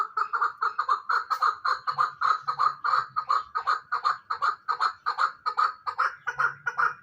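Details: Fighting hybrid chukar partridge calling in a steady, loud chuk-chuk-chuk rhythm, close to three clipped notes a second, sustained without a break. A faint low hum sits underneath.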